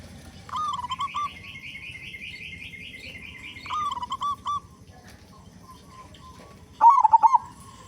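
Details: Local zebra dove, singing loudly with a big voice, used as a lure so other doves sing quickly; a long trilled phrase, a shorter one, then a brief bubbling coo near the end over low background hum.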